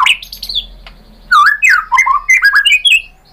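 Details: Lure song of a white-rumped shama, meant to make other birds answer and sing: a high squeaky opening, a gap, then loud, quick, clear whistled notes that climb and fall in a lively run.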